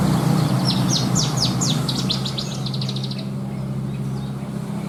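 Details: Horsfield's bush lark (branjangan) singing contest-worthy 'isian' material: a fast series of strong high down-slurred notes turning into a quick chattering trill for about three seconds, then quiet except for a steady low hum.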